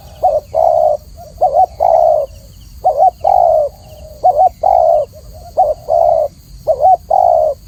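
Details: Spotted dove song from a training recording, clear and mellow. Soft paired coos lead into sustained low hoots, repeated in a regular run of about six phrases.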